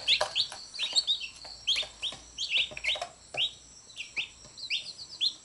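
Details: Young chicks beside a mother hen that picks at them whenever they bite her; clear, piercing peeps slurring downward, given in loose groups of two or three roughly every second, over a soft low hum.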